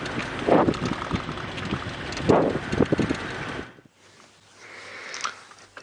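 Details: Rumbling wind and vehicle noise with loud gusts, then a sudden drop to a quieter hiss, and no animal call.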